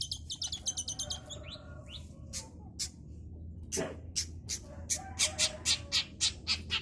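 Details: Young long-tailed shrike learning the Kunti style: harsh, scratchy high notes in quick series, then sharper clicking bursts repeated about four times a second over a low steady hum.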